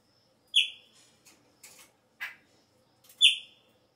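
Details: Chopi blackbird early in the season, its song changing: a loud clear whistle, then soft clicks and a short harsh rasping burst, then a second matching downslurred whistle, otherwise quiet.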